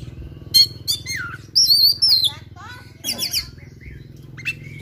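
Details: Aggressive oriental magpie-robin singing a full fill-packed song. Sharp stacked notes and a falling slur lead into a long high wavering whistle, then buzzy chattering bursts and soft scattered notes.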